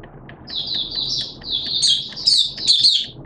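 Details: Captive Malaysian Oriental white-eye in 'buka' opening song, 21 June 2023: a high, thin warbling phrase that grows louder toward the end, over steady low background noise.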